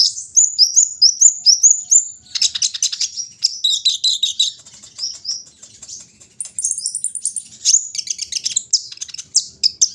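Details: Lively brown-throated sunbird song in the morning air, mixing rising and falling high whistles, dense buzzy chatter and sharp repeated chirps over ten seconds.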